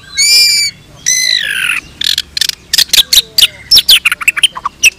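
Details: White-rumped shama of the pied variety, bowing as it sings sharp shot-like notes. Two harsh drawn-out squawks, then a rapid jumble of sharp chips and whistled notes.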